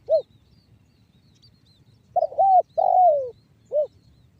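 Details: Spotted dove in the banggo bocor song style, used as a lure so other doves start calling: a lone short coo, a pause, then a phrase of a clipped note, a long descending coo and a short closing coo.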